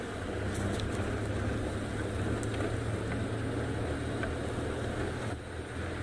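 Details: Steady low rumble of an engine, like a boat or vehicle, with wind and a few faint clicks and no animal voice.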